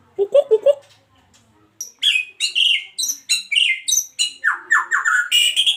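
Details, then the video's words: Adult breeding male white-rumped shama from Medan in a breeding cage, singing a varied run of loud whistled and chattering notes after a short burst of low clucks, phrases repeating quickly with sharp descending slurs. "Murai Batu Medan Gacor"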